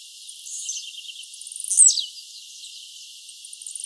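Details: Blue-black grassquit singing in the wild: a faint high trill, then one loud buzzy note swooping steeply downward, followed by soft scattered chirps.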